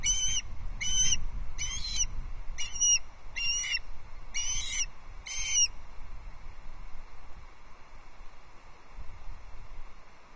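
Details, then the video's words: Osprey chicks squabbling over a fish at a Loch Arkaig nest in the Scottish Highlands; seven separate shrill, slightly slurred whistled calls spaced roughly every 0.8 seconds, then quiet with only low wind rumble. "Dinnertime squabble on the #LochArkaig nest!"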